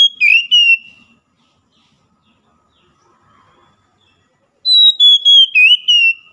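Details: Oriental magpie-robin morning song, used to get a caged bird that has stopped singing to sing again: loud, clear whistled phrases sliding downward, a short burst at the start, then silence, then another run of descending whistles.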